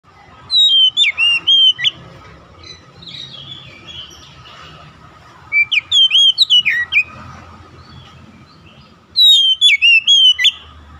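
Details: Oriental magpie-robin song played as quick recovery therapy for a stressed bird. Three bursts of loud, clear whistled phrases come about four seconds apart. Each phrase is made of rapid, warbling, up-and-down notes, with quiet pauses between the bursts.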